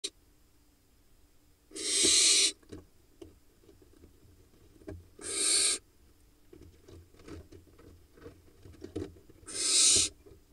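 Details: Barn owl at a monitored nest box in the Hula Valley, Israel, 3 August 2021, as a mouse is dropped to a nestling; three harsh, hissing broadband screeches, each under a second, come roughly every four seconds over a quiet background with faint clicks.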